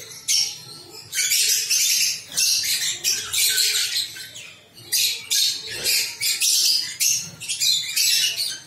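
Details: Several captive lovebirds kept as pets, giving loud, harsh, high squawking calls in bursts lasting about half a second to a second, separated by brief pauses, with overlapping birds making a busy chatter throughout.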